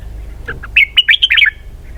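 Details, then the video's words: Red-whiskered bulbul, 'double-twist' song style: a short run of bright, slurred whistles that rises and falls rapidly, with a few soft notes first. "giọng hay cực xoắn kép"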